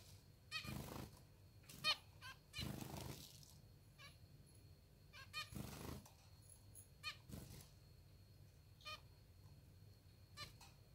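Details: Pet zebra finches, hungry and fed by hand. Brief rasping calls with layered overtones are scattered through the recording, between louder bursts of rustling and feeding noise.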